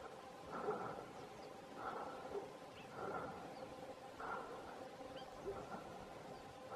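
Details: Wild Cheer pheasant, recorded as a very rare sighting at Cheerbatia, Uttarakhand, India, on 2 March 2021: faint, harsh, mid-pitched calls repeated about every one to one and a half seconds over steady background hiss.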